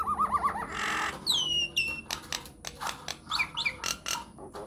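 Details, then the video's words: Myna song from a lure recording intended to make other mynas reply: bouncing looped whistles, a hiss, two loud descending whistled slurs, then scattered clicks and squeaky chirps. "PANCINGAN / MASTERAN SAKTI UNTUK SEMUA JENIS JALAK, JALAK APA SAJA AKAN NYAUT | MYNAH BIRD"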